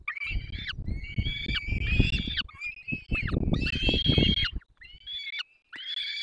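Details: Peregrine falcon pair feeding nestlings in the Barycz Valley, 3 May 2024. Harsh, screaming wails are repeated in bursts of about a second, over heavy low rumbling from wind or handling noise.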